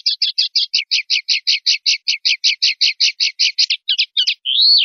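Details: Linnet (pardillo) singing clean 'limpio' song from 2019/2020 silvestrismo recordings: a long run of about twenty-five rapid, evenly repeated chirpy notes, a few broken twitters, then a drawn-out buzzy rising-falling note.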